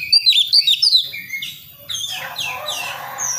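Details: Juvenile wild Priangan White-rumped shama from West Java learning song: a few loud quick whistled slurs at the start, followed by quieter scratchy, buzzy twittering.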